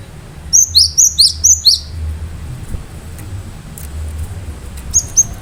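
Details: Cinereous tit (gelatik batu) singing vigorously: six quick, sharp, high-pitched repeated notes in a tight rhythmic run, then silence and two final high chirps.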